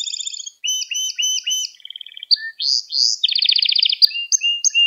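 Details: Canary in song, recorded to train young canaries: changing tours of repeated high notes, a quick low trill, swooping syllables and a rapid rolling trill, each phrase a few notes repeated.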